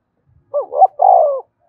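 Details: Cooing spotted dove calling to draw in other doves, a single phrase of a wavering double-noted start and then a drawn-out mellow coo that slides gently downward, with no other sounds around it.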